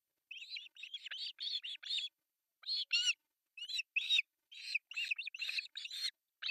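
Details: Osprey chicks in an artificial nest in Pohjois Satakunta, Finland, three young fed breakfast on July 1, 2024, nest camera: steady stream of loud, hoarse, high-pitched chirps in short clusters with brief gaps.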